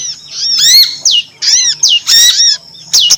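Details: Female prinia (prinjak lumut) lure call: a fast string of harmonic notes, some rising and some dropping steeply, with short gaps and a steady faint background tone.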